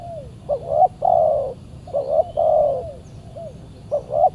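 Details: Spotted dove cooing on a Saturday decoy-trapping outing, with a fierce wild bird responding. Paired short coos lead into long level coos, repeated three times with small falling notes between, over soft low background noise.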